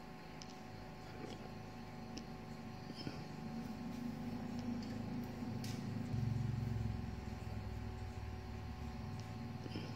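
Steady low engine rumble and mechanical hum with faint tonal whine; no animal calls stand out.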